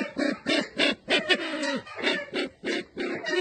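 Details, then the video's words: Red-eyed bird of Sumatra uttering hoarse, chuckling notes mixed with slurred, downward-sliding tones, grouped in uneven bursts separated by short gaps. "Suara burung merah mata Sumatra"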